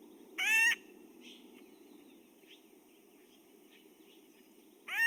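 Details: Acorn Woodpecker, played as a possible confusion species for Pinyon Jay, gives a loud, harsh, nasal note like the jay's rack series but repeated singly rather than in a regular series, then softer typical calls and another harsh note, over a steady low hum.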